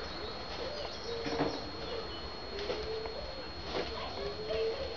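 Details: Satyr tragopan during courtship, giving soft, low, drawn-out tonal notes that rise slightly at the end, spaced about a second apart, over a steady hissing background.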